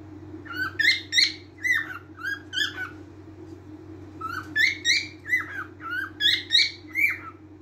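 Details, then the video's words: Cockatiel calling in two bursts of short, harmonic, whistled chirps that rise and fall, several per second, over a constant low hum. "تغريد طائر الكوكتيل"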